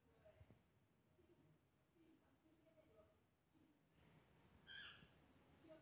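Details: Very high, thin whistled song of the pectoral sparrow, with sliding notes above a softer lower warble, coming in after several seconds of faint background murmur.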